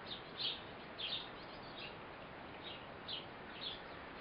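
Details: A mother Eurasian blue tit feeding her baby: short, thin high chirps, about six in four seconds at an uneven pace, over a steady background hiss.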